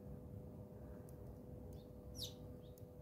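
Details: Feeder-side scuffle among house sparrows in a South African home garden; one strong, sharp downward chirp stands out, with a few fainter chirps around it and a low steady drone beneath.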